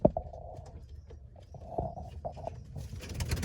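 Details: Pigeons kept by their owner cooing: low, hollow rolling coos repeated in short phrases throughout, some louder than others, over a steady low background hum, with a brief rustling noise near the end.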